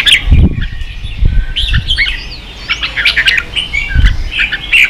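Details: Ché-style song of a red-whiskered bulbul, played to train young birds: scattered chirps and short warbles over several low thuds and knocks.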